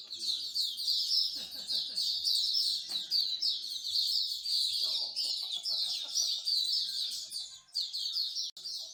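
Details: At a Singapore bird singing corner, a crowd of songbirds pours out a steady high chorus of quick chirps, trills and warbles, phrases running into one another, while distant human voices murmur faintly underneath.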